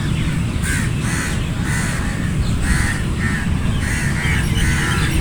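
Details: Several crows in a flock give harsh, nasal caws in rapid, overlapping series, with barely a pause between calls. A steady low rumble sits beneath them.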